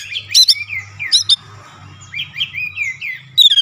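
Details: Oriental magpie-robin song at home, used to make other birds respond; a few sharp chirp bursts and soft descending whistles with a faint low hum in the background.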